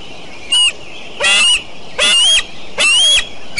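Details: Decorah eagles on a June 29, 2012 morning: four loud, harsh squealing calls, each a shrill rich note with a falling lower tone, about one every 0.8 seconds over steady background hiss.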